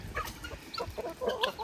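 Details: Tiko, a pet male eclectus parrot on a farm, throws a tantrum at being told no: a quick run of harsh, clucking squawks, about five short bursts in under two seconds, rising and falling in pitch. Eclectus parrot.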